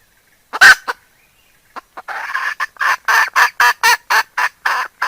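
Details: Decoy hen cackling, recorded in 2021: one loud squawk with a short cluck, then a steady run of rough clucking notes, about four per second.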